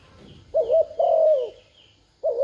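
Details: Spotted dove decoy luring wild doves, one full coo phrase: a short wavering note then a long mellow falling coo, the next phrase starting at the end; faint thin chirps above.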